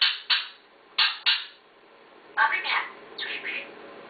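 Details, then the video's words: Pet parrot producing clipped speech-like syllables: sharp clicks and short bursts in two quick pairs, then a run of rasping talk-like phrases. "talking parrot"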